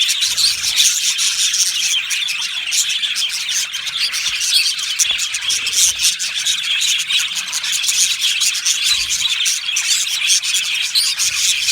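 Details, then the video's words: Budgerigar colony in an aviary, a thick, buzzy blanket of fast high chirping that stays nearly constant throughout. "Budgie parrot chirping sounds"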